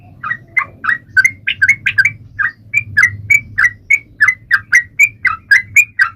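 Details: Sooty-headed bulbul singing energetically to get other birds singing along, short liquid notes in quick succession with rising and dropping phrases, over a steady low rumbling background hum.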